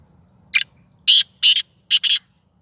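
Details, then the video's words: Its first call from a hand-kept, playful Sindhi black francolin: a short scratchy note, a pause, then four harsh buzzing notes, the last two run together, loud and clear. "Kala Teetar ki awaz / Black francolin voice کالا تیتر کی آواز"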